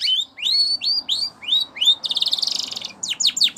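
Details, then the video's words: Canary training song: rising whistled notes repeated about four times a second, then a dense buzzy rolled trill, closing with quick downslurred notes. "Canary Singing Bird Sounds"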